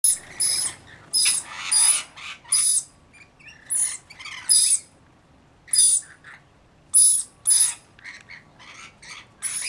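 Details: Rainbow lorikeets, a flock of about 40 looking after a single baby, give harsh screeching calls in short bursts about half a second long, each topped by a thin high whistle, with brief quiet gaps between bursts.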